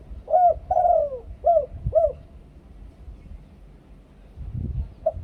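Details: Thai two-kuk koo-ang singing by a spotted dove, used to lure other doves: one hooked note, a long drawn descending coo, then two quick clipped coos, followed by near silence and faint low rumble.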